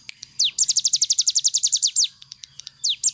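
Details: Cigun bird in full rapid-fire 'nembak' song, a recording meant for training other birds: a fast run of high, sharply down-slurred notes in a steady burst, with a few separate swept notes before and after.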